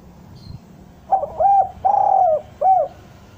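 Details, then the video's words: Derkuku bahan from a spotted dove, the kind of song used to entice doves down: one low phrase starting with a stutter, then a rounded coo, a long throaty descending coo and a short last coo. "Suara derkuku bahan ini sangat pas untuk pancingan tekukur pikat agar mau turun"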